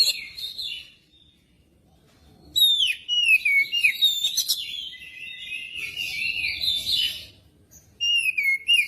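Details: Magpie-robin singing, used to prompt other magpie-robins to sing: a short opening phrase, a brief gap, then a long stream of descending whistles and chattering trills, ending with a clear falling whistle.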